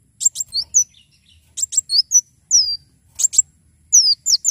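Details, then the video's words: Javan sunbird in full song for tutoring other birds and attracting them: repeated groups of high sharp chips followed by descending whistled slurs, with brief gaps between phrases and a soft low hum underneath. "Kolibri wulung gacor"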